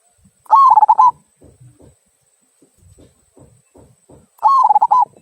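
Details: Local zebra dove singing in the 'kung' style used as a prompt for other birds: two rolling trilled coo phrases about four seconds apart, with soft scattered low taps and knocks in between.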